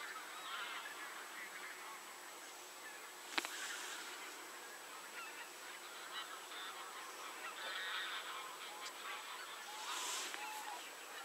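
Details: Many geese honking together in a continuous, busy chorus of short nasal calls, with brief louder bursts near the middle and the end and a sharp click at one point.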